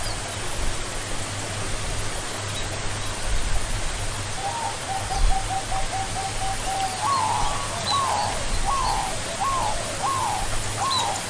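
A zebra dove gives a rapid stuttering run of soft notes, then several louder, falling cooing notes about twice a second, over steady hiss and low rumble.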